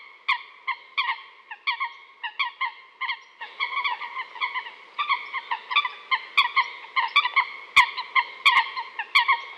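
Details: Coot calling in a quick series of short, nasal, honking notes, at times paired or run together, about four a second in places, with sharp clicks in the later seconds and a quiet background.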